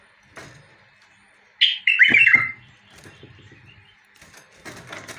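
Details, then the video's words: Bulbul singing: a short, loud burst of bright chattering notes in the middle, with faint scattered chirps and soft rustling before and after. "تغريد بلبل وطواط"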